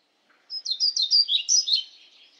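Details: European pied flycatcher (Ficedula hypoleuca) singing one brisk, high phrase of about eight sweet, slurred notes, rising and falling, in quick rhythmic succession, then trailing off; quiet background.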